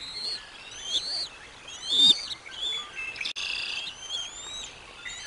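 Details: Bald eagle at the Decorah North nest on 05 06 2022 as lunch is brought to the eaglets: thin, high, whistled notes with bright harmonics, some sliding upward, in short bursts over a quiet background.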